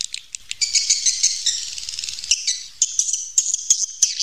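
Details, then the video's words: Cave recording of wild swiftlets: high, thin, shimmering twitters with scattered sharp clicks, a busy and slightly rattling texture throughout. "suara panggil walet asli alami rekaman dari goa"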